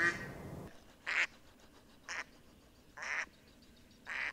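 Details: Mallard calling with harsh, buzzy quacks of varying length, four spaced notes at irregular intervals after a brief burst of noisier sound at the start.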